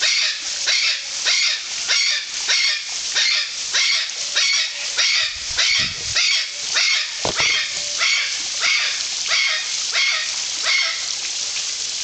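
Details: Harsh, rasping screeches of golden conures at Parque das Aves, Foz do Iguaçu, Brazil, repeated rhythmically near twice a second for about twenty calls, with a brief low thump midway.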